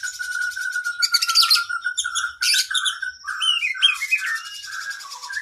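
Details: Oriental magpie-robin (kacer) 'isian panjang' training song for cage birds: opens with a long low whistle, then harsh rattling bursts mixed with varied slurred whistles and down-swept notes.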